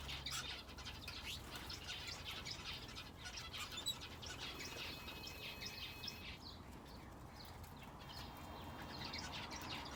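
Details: Aviary finches kept together with a canary give a busy stream of high, thin chirps and twitters, dense early and again near the end, with a constant low background hum.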